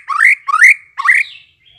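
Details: Lure song of a white-rumped shama used to draw responses: three strong, buzzy upslurred notes about half a second apart, each sweeping upward, with a faint high whistle after.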